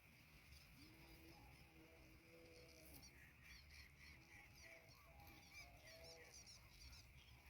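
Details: A Greater Coucal at its nest, bringing mice to feed its chicks, gives deep, hollow, drawn-out hooting notes, then shorter broken ones, over a steady high insect drone and background hiss.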